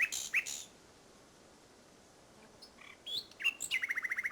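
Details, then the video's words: Common nightingale in song, Salthouse, Norfolk, 1 May 2011. Loud opening notes and a pause give way to scattered whistles, then an accelerating run of evenly repeated chirps. "Nightingale Salthouse 01.05.11"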